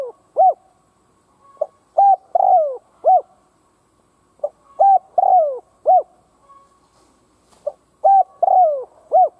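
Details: Spotted dove decoy calling to provoke wild doves, repeating a rhythmic phrase three times: short lead note, double coo, long descending coo, closing arched hoot, roughly every three seconds.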